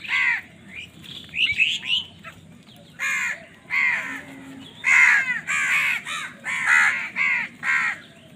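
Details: Crows fighting over food give a run of harsh, nasal caws, several overlapping at first, then about a dozen loud caws in quick uneven succession, some doubled, over a low background hum.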